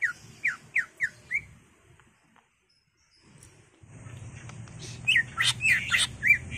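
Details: Greater green leafbird singing as a lure to stir caged birds into song; a series of five descending whistled slurs, a quiet gap, then louder broken whistles and sharp notes over a steady low background rumble.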